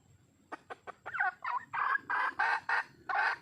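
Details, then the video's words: Calling for a male, a wild red junglefowl hen starts with a few quiet clucks that swell into loud, broad, cackling notes repeated several times a second. "le bruit d'une poule sauvage,เสียงไก่ป่าร้องหาถู่หาตัวผู้,ສຽງໄກ່ປ່າຮ້ອງຫາຄູ່ຮັກ, poj qaib qus see"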